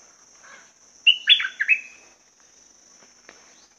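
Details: Caged red-whiskered bulbul giving one short, bright song phrase of about five quick whistled notes, slurred and dropping, lasting roughly one second, followed by quiet with a steady high background hum.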